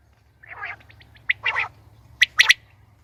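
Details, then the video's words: Female common quail sounds recorded for quail hunting: a raspy burst, a run of faint quick pips, then a grating note and sharp bright double clicks, with a low steady hum underneath. "Batair Ki saf Awaz | Saaf Awazay Batair Ki shikar ki liye| Batair Ki Awaz| FEMALE QUAIL SOUNDS"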